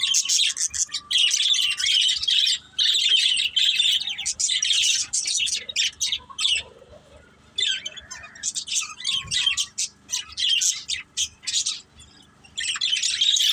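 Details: A family of pet budgies warbles in long, buzzy bouts of high chirps and scratchy chatter, separated by short pauses, with a faint steady tone underneath.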